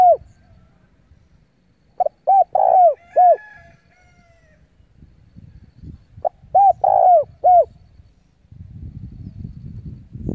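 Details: Decoy spotted dove calling wild doves in for a fight, giving two separated phrases of a clipped note and three mellow coos, with low rumbling background noise throughout and louder at the end.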